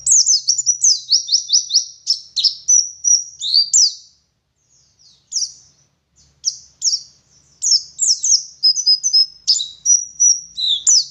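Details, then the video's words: West Java dakun Oriental white-eye from Garut delivering ngalas song with ngeriwik and rolling ngerol phrases: bursts of fast, high, slurred chirps and short trills broken by a few seconds of near silence. "Burung Pleci Gacor Ngalas Wit Wit Sambung Ngeriwik Full Isian"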